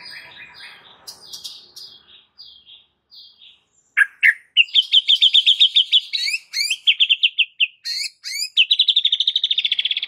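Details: Aggressive fighting song of a white-rumped shama, used as a training master: soft clipped notes give way to loud rapid trills, buzzy chatter and sharp high strokes, with a long fast trill at the end.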